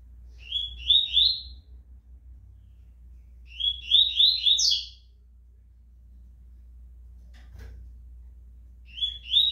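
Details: Tournament-ready rusty-collared seedeater, described as fast and strong, repeating quick bursts of bright, upslurred chirping notes roughly every four seconds, each burst about a second long, over a steady low hum.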